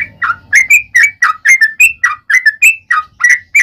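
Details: Quick liquid chirps from a yellow-vented bulbul in a long, fast fighting-mood song known as 'ropel panjang', each note sliding down then up, roughly four per second, a low hum at the start.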